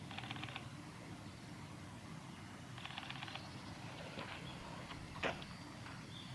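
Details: A female Daurian redstart at a shrine on 30 January 2021 gives two short bursts of dry, rapid ticking calls a few seconds apart, over a steady low rumble of traffic.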